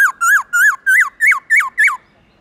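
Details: A black-throated laughingthrush gives forest-style morning song (giọng rừng): seven ringing whistled notes, each rising then dropping sharply, in a quick even series about three per second.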